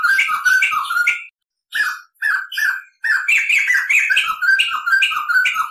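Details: Tutor song of a crested laughingthrush: rapid chattering phrases of clear whistles and harsher squawks, given in bursts separated by short gaps, then a long continuous rolling run.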